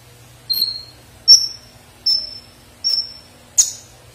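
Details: Sunbird song for training songbirds: five high, thin whistled notes, each starting with a sharp click and held briefly, spaced about 0.7 seconds apart, over a faint steady low hum.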